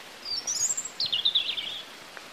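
European Robin singing two short, high, thin phrases of tumbling, liquid warbles and trills, each different from the last, over faint background hiss.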